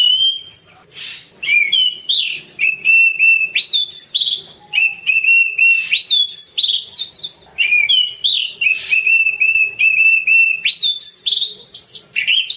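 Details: Orange-banded thrush singing for a tutor recording: rapid, continuous, varied song of ringing whistled notes, rolling trills and high slurs, broken by short raspy bursts, with brief pauses every few seconds.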